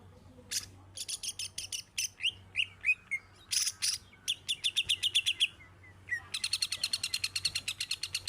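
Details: Greater green leafbird, a kept songbird with a specially trained song fill, singing a varied run of sharp chirps, short whistled slurs and buzzy notes, ending in a fast rattling series of clicks.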